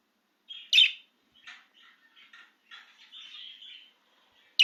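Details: Excited budgerigar outside the cage: one loud chirp, then quiet scratchy chatter and a soft warbling phrase, ending on another abrupt sharp chirp.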